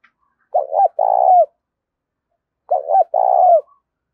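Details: Luring call of a spotted dove meant to prompt quick replies from decoy birds: two deep, mellow phrases, a brief double hiccup note leading into a sustained throaty coo, separated by about two seconds of quiet.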